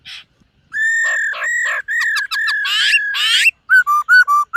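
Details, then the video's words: Silver-eared laughingthrush practising its morning song: sustained ringing whistled notes broken by stuttering rattles and two harsh rasping bursts, ending in four short downslurred whistles in quick succession. "Khướu BẠC MÁ hót MÚA luyện giọng . Khướu hót sáng luyện giọng kích bổi"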